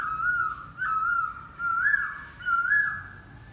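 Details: Laughingthrush song of four mellow, slightly wavering whistles at a low, steady pitch, each lasting under a second with short gaps, delivered close and clean in a quiet setting.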